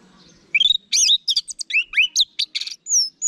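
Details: Orange-headed thrush (anis merah) singing in the ngeplong style, used as a training recording to get birds kept at home to answer: a rapid run of varied whistled notes, sweeping up and down between sharp chirps, after a quiet start.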